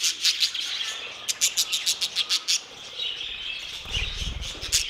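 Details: Budgerigar aviary chorus: a run of evenly spaced loud clicking chirps, about eight in a second and a half, over continuous soft warbling, then a low rumble near the end.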